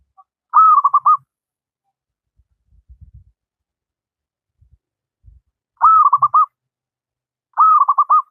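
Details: Local wild zebra dove, recorded to serve as a training master for reluctant singing doves, gives three bubbling coo phrases of a drawn-out note then quick beats, with faint low knocks between.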